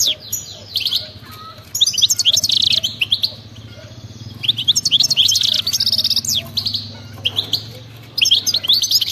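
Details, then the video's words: Wild-type European goldfinch pouring out frenzied song in three long bursts of rapid twittering, buzzy trills and tinkling notes, separated by short quieter gaps with a faint low hum. "أطلع لي اي حسون ما يغنيش وسمعو هذا التغريد 😱😠 راح يغني بدون مقدمات بتبتة جنونية وغناء خلوي خرافي"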